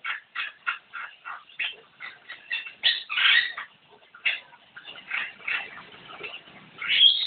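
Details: Javan myna in energetic gacor singing, giving a steady run of harsh, rasping notes about three per second, then a longer scratchy burst, then more grating notes, ending in a loud screech.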